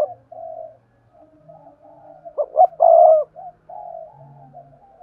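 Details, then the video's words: Decoy spotted dove cooing to lure wild doves: soft opening coos, then two sharp notes and a long loud coo, trailing into quieter murmured coos with a faint low hum. "Tiếng cu gáy hai hậu gáy gọi, tiếng chim cu mồi kích bổi hiệu quả"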